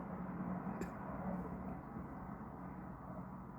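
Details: Indoor room hum with one short knock and no animal calls.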